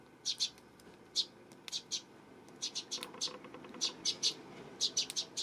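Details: Eurasian tree sparrow chirping on September 12: bright, high, clipped notes, often in pairs or triplets, repeated at a quick, uneven pace over a low, steady background hum.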